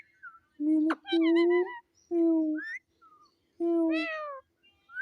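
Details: Pet talking parrot repeating words and meow-like sounds: steady harmonic syllables of about half a second, given in separate bursts with short gaps and a few rising squeaks.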